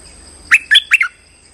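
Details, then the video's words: Streak-eared bulbul trapping lure call: a tight phrase of three to four bubbly, warbled chirps within half a second, set against a steady thin high-pitched hum. "สายเรียก!! Suara pikat merbah lekir gacor"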